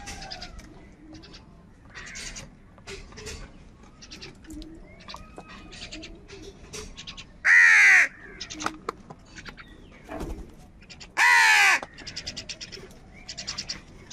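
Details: Two loud, harsh caws from crows searching for food cut through a steady background of small chirping birds.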